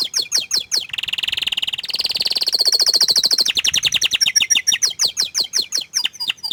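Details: A shy canary keeps out of sight while singing. Quick falling chirps lead into a dense buzzing roll that jumps higher mid-phrase, followed by evenly spaced sharp descending notes repeated several times a second.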